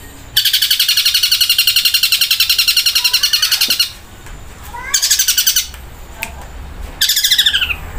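Long-tailed Shrike mimicking a flameback woodpecker: a loud, high, rapid rattling trill lasting about three seconds, then two shorter bursts.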